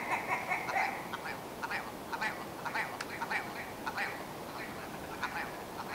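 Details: Willow ptarmigan calling with a steady series of rough, croaking clucks spread through the whole stretch, starting with a longer grating note, with faint background hiss.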